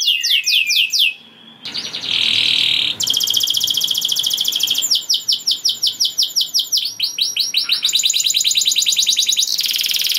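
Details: Canary singing gacor, said to push other canaries into breeding mood so they sing too; swept notes, a held whistle, then long stretches of fast buzzy and rolling trills changing pitch.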